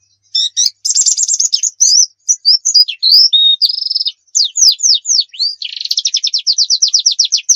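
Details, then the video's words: Javan white-eye (pleci dakun, Pacitan) delivering a varied tutor song: chattering high phrases, a steady buzzy note, then a series of sweeping downslurs and a fast, even trill of sharp chips. "masteran pleci gacor nembak full isian"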